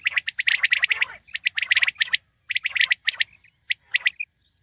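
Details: Common quail, known locally as batair, heard in 2020: crisp, high, percussive notes tumbling in fast clusters, then sparser paired and triple pulses with brief silences, and a single softer tonal note near the end.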